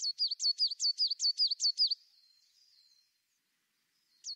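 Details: Singing tit giving a rapid series of about eight high two-part notes over two seconds, a steep upstroke then a lower dip each time, followed by quiet twittering and one final note.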